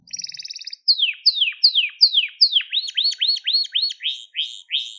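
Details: Crested Gloster canary song for training young canaries: a brief high rattle, then loud repeated downward-swept whistles every few tenths of a second, shifting into a quicker run of hooked, upturned notes.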